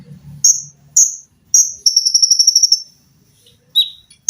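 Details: Olive-backed sunbird, recorded to train cage birds, giving three spaced piercing chirps, then a sustained fast sewing-machine-like trill of about a dozen notes lasting one second, and a final lower chirp, with faint low hum early.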